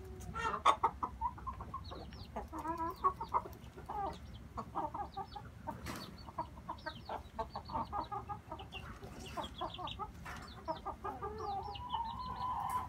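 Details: Red junglefowl, a group of inbred brothers, chattering with rapid clucks and short bursts of notes that swell and fade, against persistent low background noise and occasional sharp clicks.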